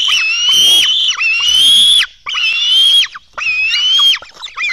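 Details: Black stork young begging as food arrives at their Latvian nest, early morning of 24 June 2016: loud, drawn-out, gently rising squeals in bursts of about one second, separated by brief silences.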